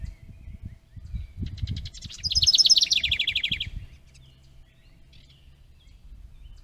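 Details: House wren at a bluebird nest box holding its stick nest, caught by a trail camera on 10 May 2023: a quick bubbling burst of rapid high notes that slur downward over about one and a half seconds, with low rumbling handling noise beforehand.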